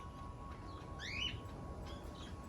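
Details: A 5-week-old lovebird chick gives one short, rising, high chirp near the middle, followed by a couple of fainter chirps, over a steady low background hum.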